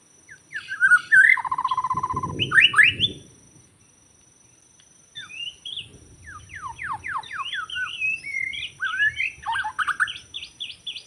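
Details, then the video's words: White-rumped shama from the forest, recorded while trapping birds: a quick whistled opening and a short rapid trill, a pause of near silence, then a run of sharp down-slurred notes and mixed chirps and whistles. "Rekaman suara asli murai batu hutan ketika sedang mikat"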